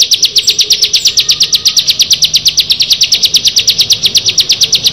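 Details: Bar-winged prinia, one of six birds, delivering a fast, even series of sharp high chips, close to three per second, unbroken for the whole stretch with little background sound.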